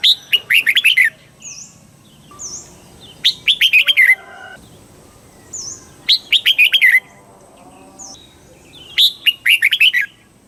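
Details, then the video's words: Red-whiskered bulbul, Thai southern master-song style, used to excite birds and teach young birds: four similar phrases of rapid, cheerful chirped notes, repeated roughly every three seconds, with faint high chirps between. "เสียงนกกรงหัวจุก ร้อง ริก เปิดให้นกฟัง ยั่วให้นกคึกจัด chao mao hot"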